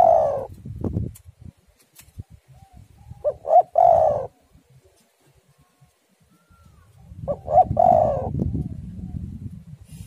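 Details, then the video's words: Spotted dove cooing played as a lure so other doves start singing: two phrases of short notes leading into a drawn-out throaty coo, with bursts of low rumbling noise in between. "tekukur super gacor suara angin ribut"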